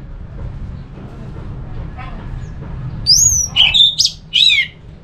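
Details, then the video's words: Song of an orange-headed thrush played to prompt other thrushes to join in: low background hum at first, then a short run of clear, swooping high whistled notes in the last two seconds. "Suara burung ANIS MERAH ini ampuh bikin ANIS Jenis apapun ikut bunyi"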